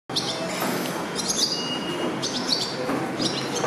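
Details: Male barn swallow singing at a train station on 27 June 2022 while raising five chicks, watching passengers pass: bursts of high twittering chirps around one second apart over steady low station hum.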